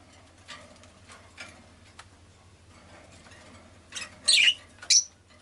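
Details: Pet rosy-faced lovebird giving two loud, shrill, squeaky chirps close together after a stretch of faint rustling and low background hum.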